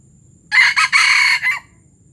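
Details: A junglefowl from Palembang gives one brief, hoarse crow lasting about a second, broken into three or four quick clipped notes, over a faint low rumble.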